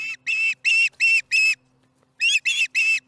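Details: At the Charlo nest, an osprey chatters through its dinner on July 15, 2019, late afternoon: bursts of shrill, rich whistled chirps about three per second, a brief gap, then the series resumes over a soft steady hum.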